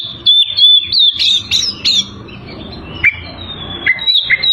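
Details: Oriental magpie-robin in full, lively song meant to provoke rival birds: loud clear whistles and sharp upslurred notes, then lower slurred phrases, with faint low rumbling behind.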